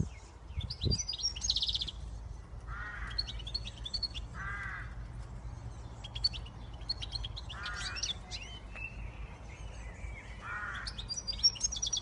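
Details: Siskin x goldfinch hybrid singing: high, rapid twittering and chirped notes interspersed with nasal, wheezy buzzes roughly every one and a half to two seconds, over a low steady background hum.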